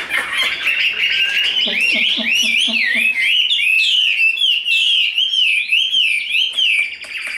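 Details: Large tame Chinese hwamei kept in a cage, singing during fighting display: stuttering short notes lead into a long rolling, wavering whistled warble that keeps swinging up and down.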